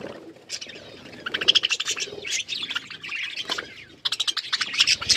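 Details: Several pet budgerigars chattering while eating and playing with food, a dense stream of buzzy, rapid chirps and warbles in bursts, with a short pause before the chatter resumes loudly.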